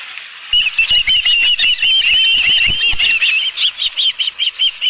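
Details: Osprey with a live fish at the Dunrovin Ranch nest, 11 July 2018, about 12:41 PM: insistent high whistled chirping, nearly three notes per second, with heavy wing flapping or nest rustling through the middle.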